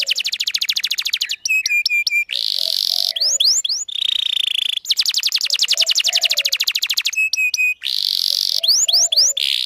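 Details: Canary song used to lure males and teach young birds: rapid buzzy trills alternate with clipped metallic notes, sharp upward slurs and a sustained pure whistle, the whole sequence repeating after about five seconds.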